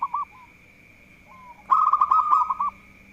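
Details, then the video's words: Zebra dove of a local strain, described as a keen singer that provokes rival birds: two brief soft coos, a faint sliding note, then a loud rapid string of rolling, bubbly coo notes, with a constant thin electronic whine behind. "Perkutut Lokal Gacor || Jago Mancing Lawan"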